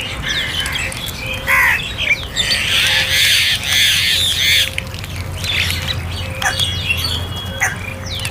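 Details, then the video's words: Crows calling during feeding, loud raspy caws in a dense cluster, then scattered shorter squawks and thin chirps from other birds over a faint low hum. "Crow Sounds For Food"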